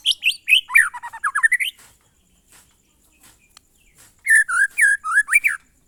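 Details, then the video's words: Monotonous glondong-style song of a white-rumped shama (murai batu): quick runs of slurred whistled notes dipping and rising, two phrases separated by a short pause. "suara burung murai batu "MONOTON"alias GLONDONG"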